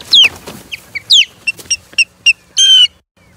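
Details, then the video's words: Osprey at a nest in Charlo on 21 April 2022, in a skirmish with an intruding third osprey: loud, close, downslurred squealing whistles and clipped chirps, ending in a harsh, buzzy, drawn-out note, then quiet. "Skirmishes with a 3rd Osprey"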